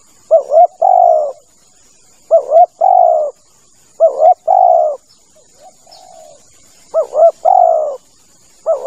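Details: Lure call of a male spotted dove for hunting doves: phrases of a quavering double note followed by a long low coo, repeated four times with a quieter phrase between, over constant faint hiss.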